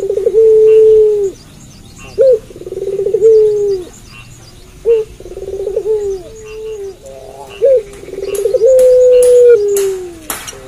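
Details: Barbary dove (puter pelung) cooing at night in three linked phrases, each a vibrating roll stretching into a long, even, downward-trailing coo. Sharp knocks or clicks are heard near the end.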